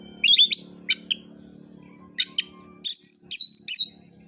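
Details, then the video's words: Oriental magpie-robin singing its fighting song to goad rivals; quick chattering clicks and short sharp notes, then three strong descending whistles at the end, steady low hum behind. "KICAUAN KACER NARUNG"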